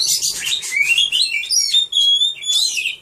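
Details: A caged Oriental magpie-robin (Copsychus saularis) sings a rich, varied run of high whistles, slurred notes and scratchy trills, changing phrase every half second or so, with no other sounds.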